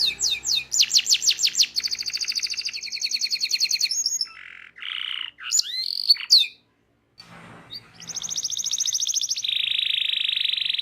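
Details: Training song of a local Indonesian canary: fast descending slurs, a long buzzy rolling trill, scattered squeaky notes and a short pause, then another extended rapid roll dropping to a lower buzzing trill.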